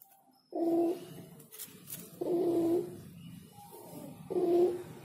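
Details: Spotted dove singing: three short, hollow coo notes spaced about two seconds apart over a faint background hiss.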